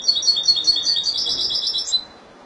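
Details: A Spanish goldfinch from Málaga sings a two-second run of bright, high, bubbling notes in quick succession, ending in a brief trill before going quiet.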